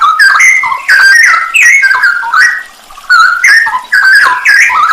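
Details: Straw-headed bulbul (cucak rowo) song on a masteran training recording for songbirds, full of 'isian nembak' fills: loud liquid whistled phrases, rising and falling, one after another with a short pause near the three-second mark.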